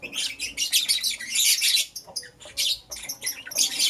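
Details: Lovebirds, one green personata and one yellow pastel pied, chatter in the morning with dense, harsh, high-pitched chirps that run together into continuous scratchy bursts, broken by short gaps near the middle and end.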